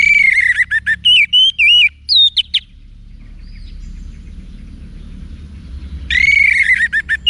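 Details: Orange-headed thrush song played for training cage birds: loud bursts of clear, varied whistled phrases and rapid chirps, a pause with faint background noise, then another run of rich whistles.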